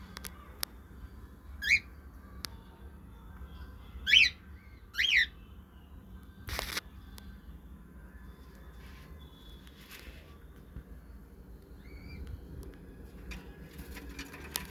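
A cockatiel gives a few short, rising whistled chirps, with a sharp click between them.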